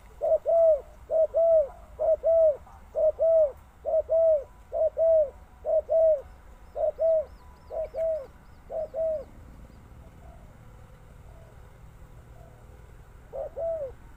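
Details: Spotted dove giving a steady series of low, arched, paired coos, about a dozen in quick regular succession over nine seconds, then a pause with faint coos and one more pair near the end.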